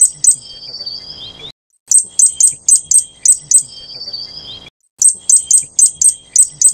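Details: Fire-breasted Flowerpecker of the Taiwan endemic subspecies formosum, from low to mid-elevation mountain forest in Taiwan: two bursts of very high, sharp ticking notes in quick series, with a thin trilled whistle between them and a brief silent gap.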